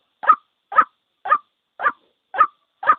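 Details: White-breasted waterhen single call, ruak-ruak, meant to lure birds into traps: six short, hoarse notes repeated about twice a second in a clean, quiet recording.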